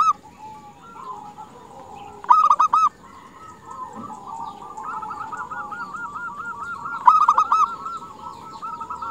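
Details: Female zebra dove calling males: two loud clusters of quick, clipped coo notes near two and seven seconds over a steady, softer chorus of trilling doves.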